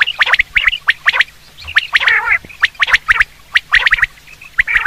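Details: Common quail (batir) call for hunting: sharp, bright notes in quick clusters of two or three, repeated with uneven spacing, and a brief harsher nasal burst partway through.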